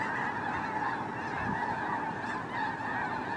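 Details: A great flock of snow geese on migration: loud, crowded yelping honks pile over one another in a constant clamour, with no pause or break.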